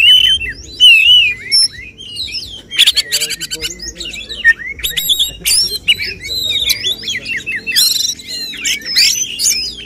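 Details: Oriental magpie-robin (kacer) in the 'tembakan' shooting style prized by contest judges: clear whistled slurs open, then rapid dense buzzy bursts mixed with sharp twisting whistles, delivered almost nonstop.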